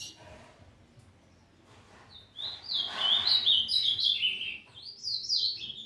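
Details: Immature brown Ultramarine Grosbeak starting to find its song. After a quiet start comes a lively string of high, slurred warbling notes that step up and down in pitch, with a short pause before a final rising flourish.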